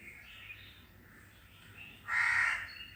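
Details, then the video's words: Faint bird notes drift in the background before a single loud, harsh crow caw near the end. "The crows are making a sound and the birds are silent on hearing the crows."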